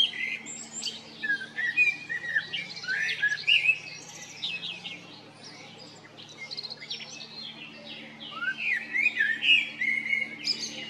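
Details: A male common blackbird in Zagreb, Croatia, in April–May 2022, sings a busy song of quick varied chirps, slurred whistles and high twitters, flowing with only brief pauses, over a faint low hum.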